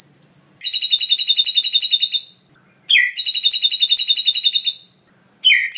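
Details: White-rumped shama filler song, a repertoire said to include imitations of other birds and grasshoppers: high buzzy trills of rapidly pulsed notes lasting about two seconds each, separated by thin whistles.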